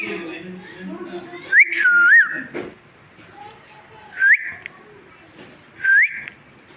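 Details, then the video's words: A talking parrot chirps three times: rising whistled notes, the first followed by a dipping, wavering glide, the others short upward sweeps, separated by about two seconds of quieter room noise. "Talking parrot chirping sounds"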